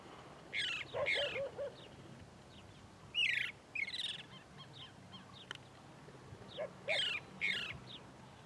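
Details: A chalk-browed mockingbird from the sertão of Bahia, Brazil, sings short, varied phrases of rich, scratchy notes, given in bursts with brief pauses, some dipping lower; faint background hiss.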